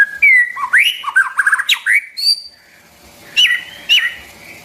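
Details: White-rumped shama song for voice training of young and newly caught birds: rich whistled phrases with swooping slurs and quick warbles, a pause, then two sharp bright notes.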